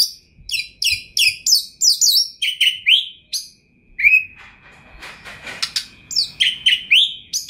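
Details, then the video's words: Kacer (Oriental magpie-robin), a top champion singer with a full, varied repertoire. Quick series of high clipped chirps, then rising slurred whistles, a harsh rasping stretch, and renewed bright whistling phrases. "OCEHAN KACER TOP, GACOR DORRR ll JUARA FULL MATERI MEWAH 2021"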